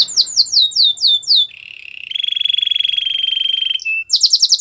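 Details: Canary song offered for training canaries: rapid series of falling whistled notes, then a long buzzy trill held steady, ending in fast high repeated notes.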